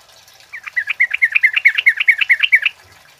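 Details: Male kemade flowerpecker singing loud 'cit keres' chirps, a bird kept as a lure and tutor for other birds: a rapid run of about fourteen sharp, high, slightly descending chirps, evenly spaced over two seconds, then silence.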